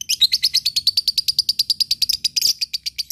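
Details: Lovebird in ngekek style, used to provoke rivals and to train fighter birds: a fast, steady chatter of sharp high notes, about six per second and evenly paced, running for the whole three seconds with no other sounds.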